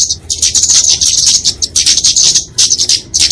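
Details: Flowerpecker (kemade) fighting song, used to tutor and lure small songbirds: very high, thin, rapid chattering bursts, each about half a second long and separated by short gaps, with no other clear sounds.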